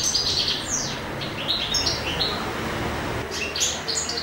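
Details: Spring song of a male European goldfinch in love: a lively stream of high, twittering and buzzy notes with quick slurred chirps, easing off midway before another bright burst at the end.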